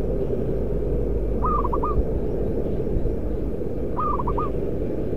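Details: Local zebra dove, a loud-voiced decoy bird, repeats a crisp phrase of a long opening coo followed by quick staccato notes, twice about two and a half seconds apart, against low rumble.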